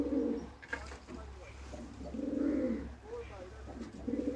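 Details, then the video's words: Pigeon cooing in rolling, throaty phrases, three swelling coos spaced about two seconds apart, over a low background hum with a few sharp clicks. "kabotar ki awaz | sound of pigeon | kabootar | pigeon sound"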